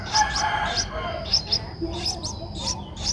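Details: Streak-eared Bulbul nestling aged 11 days, Thailand's Ubon Ratchathani, 13 April 2023; scattered high squeaky chirps in irregular bursts over faint low background noise.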